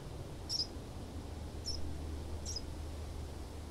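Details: A house sparrow in Southeast Ohio gives three brief, high chirps about a second apart, over a steady low rumble of background noise.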